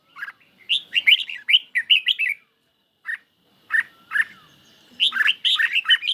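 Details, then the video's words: Red-whiskered bulbul kept in a cage, singing in a duel with a phone recording; quick strings of chirped notes, a short gap with single notes, then a fast warbling run. "Chim Chào Mào Của A Tủa Hót Đấu Với Điện Thoại Cực Xung"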